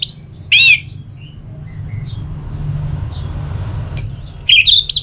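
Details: Orange-headed thrush in ngeplong song, aimed at provoking a listless bird to respond: one harsh ringing note early, a long quiet stretch with faint soft chips, then a high whistle and quick warbled notes.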